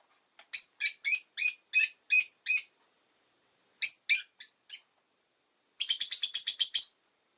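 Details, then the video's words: Rosy-faced lovebird chirping in steady rhythmic runs of shrill notes, about seven evenly spaced, then a short cluster, then a rapid chatter of around ten chirps. "Lovebird Chirping Sounds"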